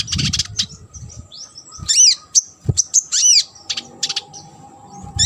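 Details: Sunbird song from a training recording for competition birds: rapid high, squeaky chirps and arched, swooping whistles in a lively, uneven series, with short pauses between loud notes.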